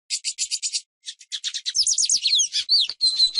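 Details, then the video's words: A Lined seedeater (Sporophila lineola) sings a fast run of buzzy high notes, then quick slurred sweeps ending in a clear sustained whistle. "EL MEJOR CANTO DEL AVE TUCERO"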